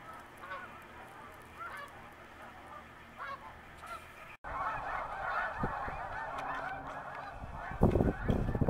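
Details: Spring-migrating snow geese resting on the St. Lawrence: distant scattered honks over background noise at first, then after a brief cut a louder, busier chorus of many overlapping nasal calls, with low rumbling noise near the end.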